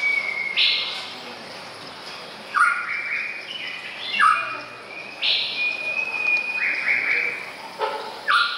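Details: Male white-rumped shama recorded on 24 May 2014. Rich, varied whistled phrases with steady held notes and quick upward slurs, some notes sharp and high, over a constant hiss of background noise.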